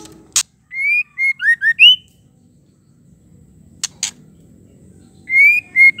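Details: Female white-rumped shama call, used to provoke males into singing and aggression. A short run of clear whistled slurs that rise and fall, with sharp clicking snaps between phrases and a quiet pause before the whistles return.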